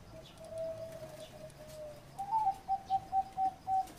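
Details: Zebra dove singing in the 'tap' style: soft, low, drawn-out cooing, then a sharper lead note followed by six evenly spaced, clipped coos.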